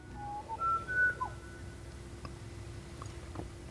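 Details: In very quiet wilderness near the Connie Sue Highway in Western Australia, a butcherbird gives a short run of clear, flute-like whistles that step upward in pitch over about a second, then falls quiet, with only faint clicks following.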